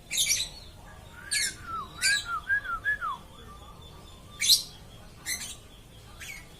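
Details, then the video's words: Nonstop lovebird chatter mixing harsh, buzzy squawks with a run of lower, sliding whistled notes that dip and rise, then more rasping chirps. "BURUNG LOVE BIRD TIDAK BERHENTI BERKICAU"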